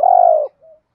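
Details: Single long, level, throaty coo from a spotted dove, part of a call used to make lazy doves coo, followed by a faint soft note.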